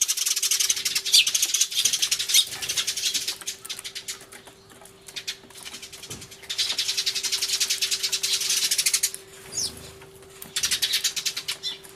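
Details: Sparrows making a loud racket, Everio recording from 24 March 2013, a turtledove present: long continuous bursts of shrill, rapid chirps, broken by short quieter pauses near four and ten seconds.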